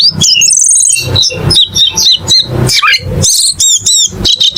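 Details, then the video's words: Cucak keling delivering choppy bursts of high whistles, trills and chirps, separated by brief silences, with looping upslurred notes near the end. "MP3 BURUNG CUCAK KELING"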